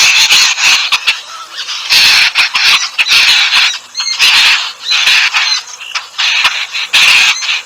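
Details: Bathing yellow-billed babblers (demalichcha) in Sri Lanka: bursts of harsh, rasping squawks lasting about a second, coming in repeated waves with short quieter gaps and splashy crackling between them.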